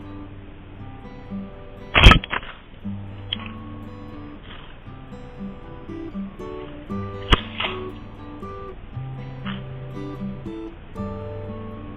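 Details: Soft plucked-guitar music plays throughout, broken by a couple of sharp knocks, with no animal voice heard.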